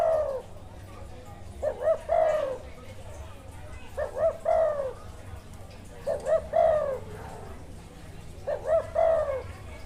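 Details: Wild spotted dove singing in a good calling style (karam), possibly with a chessboard face pattern: a rhythmic, mellow cooing phrase of a few short notes ending in a longer drawn coo, repeated four times about every two seconds, with faint background murmur.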